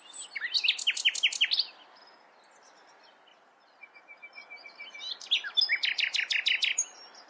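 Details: Common nightingale delivering two song phrases: first a run of rapid, downward-sweeping repeated notes, a quiet gap with a soft rattle, then a swelling rhythmic series of loud, evenly spaced pulses repeated several times a second.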